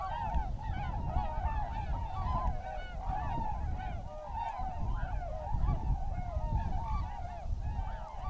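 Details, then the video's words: A large flock of tundra swans calling together: a dense, overlapping chorus of high, mellow, hooting whoops over a steady low rumble. "Tundra Swans"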